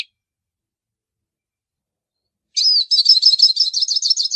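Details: After a long pause a hooded siskin begins singing: a drawn-out whistled note followed by rapid, tumbling high twitters continuing to the end, with no background noise.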